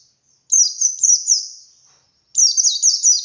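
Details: Wild white-eye singing ngalas style, a lure to start captive birds singing; two bright bursts of quickly repeated falling notes, high and thin, with a short gap between them.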